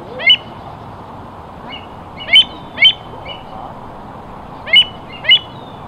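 An American avocet gives five sharp, high 'kleek' notes, some in quick pairs, over a soft, steady background hiss.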